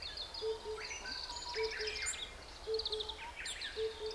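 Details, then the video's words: Wild lesser cuckoo singing nearby in a live chorus with a calling Himalayan cuckoo. Quick, high, sharply rising and falling phrases repeat about every second over the Himalayan cuckoo's low, steady paired hoots, with other birds' chirps and soft background noise. "Himalayan Cuckoo and Lesser Cuckoo singing."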